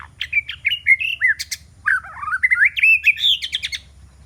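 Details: Decoy white-rumped shama, a fighting bird used to lure rivals, pouring out a dense, loud medley of whistled, slurred and clicking notes with rising and falling turns, almost without pause.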